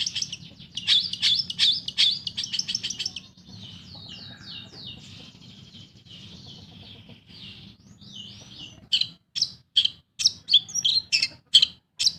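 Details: Kept Long-tailed shrike in energetic song, offered as a lure for birds that have stopped singing. It opens with rapid bright chirps, drops into a softer warbled passage, then ends with loud, sharp notes repeated roughly twice a second.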